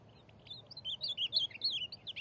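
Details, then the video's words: Ultramarine grosbeak (azulão) of the corujão song style, exchanging song with a free bird: a quick warbled phrase of bright, slurred whistled notes that rise and fall in rapid succession, over a faint low background hum. "azulão corujão trocando canto com o solto"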